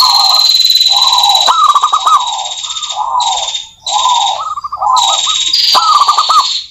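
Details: Zebra doves of the local type in energetic song, played as a lure. Repeated trilled coo phrases over a steady high thin whine, with brief clicking bursts.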